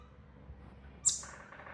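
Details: A single sharp, very high chirp from an Indian robin chick indoors in a home, brief and thin, followed by a softer trailing twitter over a quiet background.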